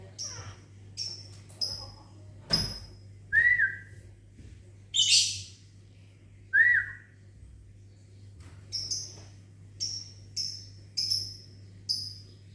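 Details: Lovebird in a small aviary in the morning, responding to human whistling. Two rising person's whistles are answered by rows of short, shrill, high chirps repeated roughly every half second, plus a harsh screech.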